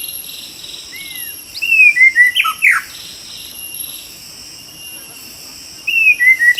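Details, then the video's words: White-rumped shama in the wild during a trapping session: two loud phrases of descending stepped whistles ending in sharp slurred notes, separated by a quiet gap filled with high insect buzzing. "MIKAT BURUNG MURAI BATU DI ALAM LIAR"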